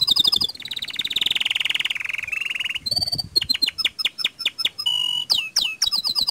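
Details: Lively canary song meant to get other canaries singing, opening with a long buzzy trill, then rapid clicking notes, a sustained whistle and quick rising chirps in steady succession.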